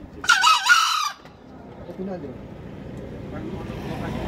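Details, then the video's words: A green junglefowl crowing gives one short, hoarse, broken crow lasting under a second, followed by quiet rustling background noise. "ayam hutan hijau berkokok"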